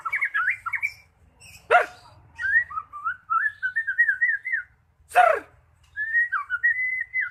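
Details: A magpie-robin sings to coax a stuck bird into song: twisting whistled phrases broken by two loud harsh rasps, with long runs of wavering, zigzag notes.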